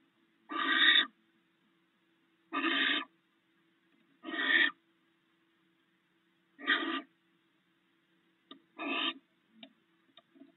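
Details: A barn owl pair snacking together on rats at their nest. Five rough, breathy hisses are spaced about two seconds apart, fading slightly, over a steady low hum with a few faint ticks at the end.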